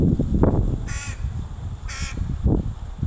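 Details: A mother crow teaching a baby crow to forage, recorded 26 July 2019. Two strong, harsh caws ring out a second apart, over low rumbling noise and a few soft thuds.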